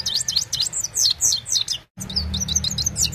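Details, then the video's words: A Himalayan goldfinch sings in the evening, recorded on an Oppo A76 mobile: liquid, high, swooping twitters in a quick continuous stream, one short silence, then more lilting chirps over low hum. "Gold finch simple singing this is really amazing bird song"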